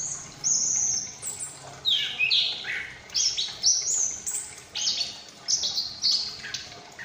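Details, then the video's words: Chestnut-capped thrush, a young female ring bird from Malang, Indonesia, just past the juvenile stage and practising its song: bursts of high, fast whistled notes and descending slurred phrases separated by short pauses, with some wing flapping. "Anis Kembang Ngriwik Lepas Trotol mulai ngeplong"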